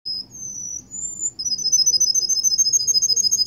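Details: Russian canary in Kuwait, singing: a few drawn-out high whistled notes open, then a steady, rapid, even trill of bright pulses at about three per second continuing to the end.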